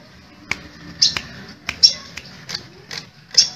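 Crimson sunbird giving sharp, very high ticking chips, about seven in under four seconds at an uneven pace, with a few thin whistled notes, in a quiet small room.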